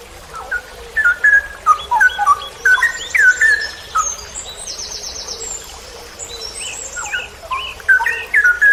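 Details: Cucak rowo (straw-headed bulbul) in a training recording for songbird hobbyists, delivering 'ropel panjang' song: quick runs of fluty whistled notes stepping up and down, pausing mid-clip while another bird gives a fast high buzzy trill, then resuming.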